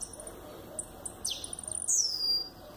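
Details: Double-collared seedeater, an adult male kept as a captive songbird and filmed in the cold, singing toward the camera: a quick run of very high chips and a steep downward sweep, ending in a long, bright, slurred whistle, over faint background hiss.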